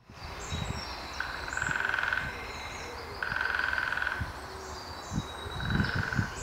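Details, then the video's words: Lesser spotted woodpecker drumming at Lings Wood, Northampton, UK, 9 April 2016: three long, even, ringing rolls of about a second each, roughly two seconds apart, over low rumbling background noise. "Lesser spotted woodpecker"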